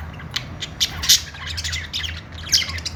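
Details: A flurry of harsh squawks and high chirps from happy pet budgies, several sharp bursts in three seconds, with steady low background hum.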